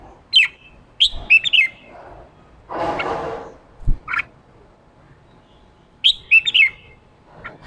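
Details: Red-whiskered bulbul, a fired-up male singing 'ché' to prompt a newly caught bird into song. Two clusters of quick whistled, chattering notes are separated by a broad noisy burst and a low thump.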